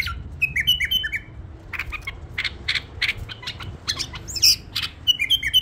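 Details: Pet bulbul giving short whistled, slurred notes at the start and again near the end, separated by a run of dry clicking and rustling sounds in a quiet room.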